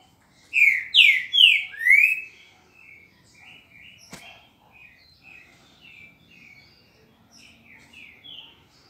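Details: A Green-winged saltator (Saltator similis) sings a loud phrase of four rich, slurred whistles in under two seconds, followed by softer, scattered whistled notes; the final note's quality is in question.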